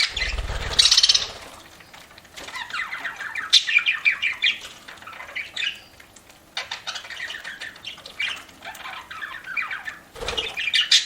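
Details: Pet parakeet (budgerigar) eating and chattering: long stretches of soft warbling and squeaky chirps, with a couple of low thumps and wing-flutter bursts at the start and near the end.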